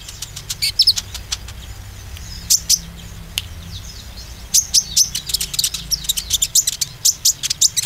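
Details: Oriental white-eye lure for building confidence in green and young birds: dense, rapid volleys of high, clipped chirps, thinning mid-clip, then resuming as an excited fast chatter.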